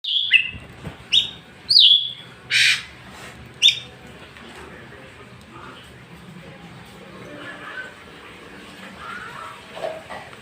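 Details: White-rumped shama singing in the afternoon: a few loud whistled and sharply descending notes in the first four seconds, then quieter faint phrases over a soft background hiss.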